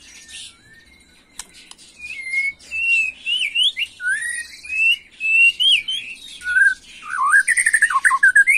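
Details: Agitated white-rumped shama, a young bird, 'macul' style: soft squeaks, then a run of clear whistled notes that rise and fall, ending in rapid, varied fluty phrases with high chips.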